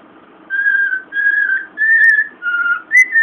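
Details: A male pet cockatiel whistles the Imperial March in clear, steady, sustained notes, a tune he sings when someone waves their hands near him like a conductor.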